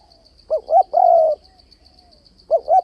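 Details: Spotted dove cooing to stir a decoy bird for trapping doves: two short rising notes and a long level coo, then another pair of short notes begins, over a steady high pulsing buzz.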